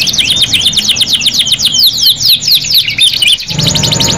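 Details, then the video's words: Canary singing a long, vigorous Indonesian 'gacor' song used as training material: rapid repeated trills of swooping high notes, about two per second, shifting in pitch, with a low hum underneath. "KENARI 2 IN 1 MASTERAN KENARI GACOR PANJANG | CANARY SINGING"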